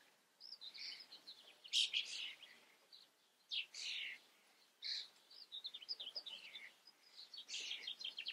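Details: Common starling filmed in the Eifel, giving bursts of varied high song: squeaky whistles, harsh smeared notes and short chatters in separate phrases with brief pauses between them.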